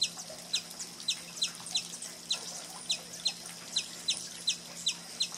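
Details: Sombre hummingbird on the Trilha dos Tucanos, São Paulo State, Brazil, in April; a steady series of short sharp high ticking notes, about three per second, with a faint low hum beneath.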